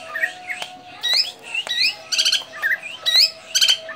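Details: Javan drongo, described as now rare and nearly extinct, kept as a fighter-type songbird: harsh squawks, sharp rising whistles and rapid buzzy chattering bursts alternating about once a second, over a faint steady background hum and clicks.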